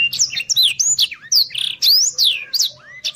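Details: Blackthroat song, a fast, busy run of sharp whistled sweeps and slurred notes between high and mid pitch, with buzzy trilled bursts and quick chips packed together, used as training song for contest birds.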